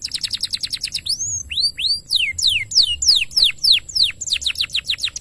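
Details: Lively singing canary in a tutor recording for training birds: a fast, rapid high trill opens, then a run of loud arching whistled sweeps, many dropping steeply in pitch, about three per second over faint low hum.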